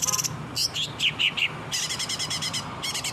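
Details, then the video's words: A long-tailed shrike sings actively as a training recording for captive birds. Fast rattling trills open and close the phrase, with clear descending whistled notes and harsh chattering between, over a faint low hum. "CENDET GACOR.!!! masteran burung cendet di jamin langsung nyaut"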